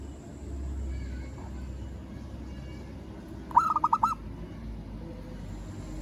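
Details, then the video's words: A single quick burst of about five clipped cooing notes from a local zebra dove calling a rival, set against a noisy low rumble. "Perkutut Lokal Suara Memanggil Lawan"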